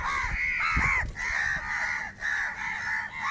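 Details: Many crows crowing and crying while fighting for food. Prolonged, hoarse, slightly wavering caws run almost without a break, several birds overlapping, with faint low thuds beneath.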